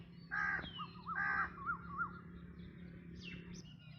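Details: Black drongo calling: two loud, harsh, buzzy notes about a second apart, then a series of short wavering whistled notes, with fainter calls of other birds and a low steady hum behind.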